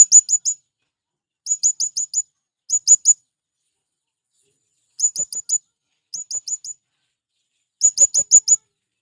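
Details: Calling male blue-crowned hanging parrot, used to attract wild ones: six short bursts of three to five piercing, high, sharp chips each, delivered at irregular intervals with quiet gaps between.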